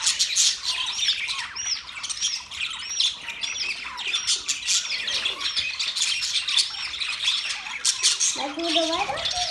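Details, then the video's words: Budgies keep up a steady flock twitter of high chirps and looping whistles. Near the end, a lower, tonal series of stepped notes joins the chatter. "Budgies chirping sounds"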